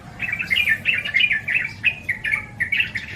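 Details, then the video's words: Yellow-vented bulbul (called trucukan in Indonesia) gives a steady run of bubbly, liquid chirps in quick succession, mid-pitched and slightly rising and falling, with no other sounds of note. "SUARA BURUNG TRUCUKAN"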